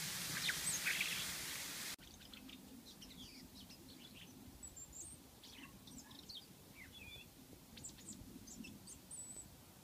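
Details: A robin singing while feeding: after two seconds of loud broadband noise, a run of short, varied high chirps and thin whistled notes, several per second, some sliding up or down, over a quiet background hiss.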